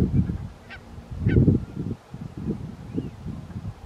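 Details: Barnacle Geese of a winter flock at Ouddorp, the Netherlands, on 27 January 2023, curlews feeding nearby: overlapping short, deep yapping notes in bursts, loudest near one and a half seconds, with a brief quieter gap before the chatter resumes.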